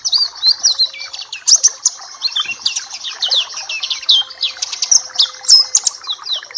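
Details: Papua black-capped white-eye, recorded as master song for tutoring other birds: lively high twittering with rapid down-slurred and up-slurred notes, packed closely, and a faint lower chatter.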